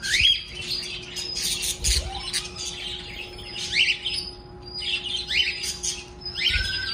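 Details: Several caged birds kept at home singing happily after waking in the morning: bright chirps and short rising whistles, bursts of twittering repeated throughout, with a steady low hum underneath.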